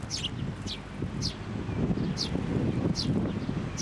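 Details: Sparrow at a Tenmangu shrine, a parent bird that came for food and turned aggressive, recorded 16 May 2024: short high descending chirps repeated about every half second over steady low traffic rumble and wind.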